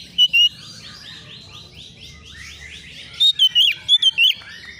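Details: Young Oriental magpie-robin responding emotionally to a rival: two sharp whistles, a long soft run of rising chirps, then a loud burst of five slurred whistled notes.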